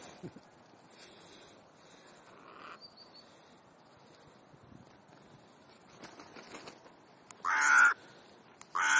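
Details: Crows at an afternoon gathering in Clara Zetkin Park, Leipzig: quiet rustling and faint distant sounds, then two loud, harsh caws close together near the end.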